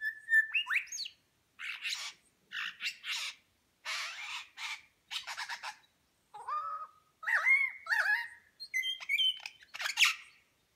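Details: A superb lyrebird in New England National Park, NSW, Australia, mimics other birds while displaying its tail feathers: a rapid medley of pure rising whistles, harsh buzzy bursts and ringing chattered notes, each phrase about a second long.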